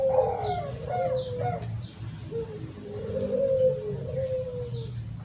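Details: Spotted dove cooing, played as a lure: two drawn-out, mellow coo phrases with a gentle wavering tone over background noise, plus a few high descending chirps.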